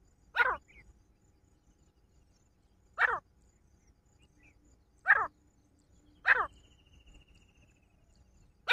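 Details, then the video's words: Partridge, male and female calling: harsh, rasping single notes spaced irregularly, roughly every one to three seconds, with faint low background rumble. "nar ki aro aro ki awaaz teetar ki awaaz"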